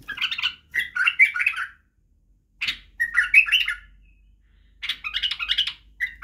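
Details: Badrawi white-eared bulbul song used to tutor young bulbuls in singing and the barwaz style: three groups of short, warbled, liquid phrases separated by pauses of about a second, each ending in slurred notes.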